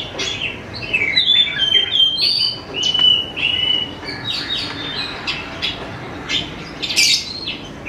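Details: Greater green leafbird song used as a lure to get young leafbirds singing: a busy stream of varied whistled notes and short chirps, sliding and flicking at high pitch over eight seconds, with brief pauses between bursts.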